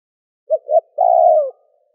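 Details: Single spotted dove phrase for rousing a decoy bird: two short soft coos followed by a long, level then falling, slightly buzzy coo, with no other sounds.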